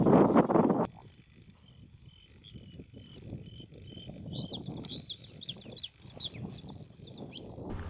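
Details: A Bluethroat in Vendée, France, perched in the open to sing briefly, gives a varied run of thin whistles, chirps and quick rising and falling notes, starting after a loud thump over a steady low rumble.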